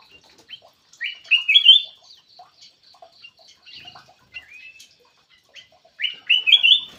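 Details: Black-crested bulbul giving its lure call: three bright, bubbling whistled phrases, each rising in steps, separated by pauses with faint chips and a sliding whistle between them, against a quiet background.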